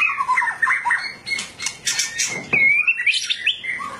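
White-rumped shama singing a fast, varied song of slurred whistles mixed with harsh, scratchy bursts, ending in a clear rising whistled phrase.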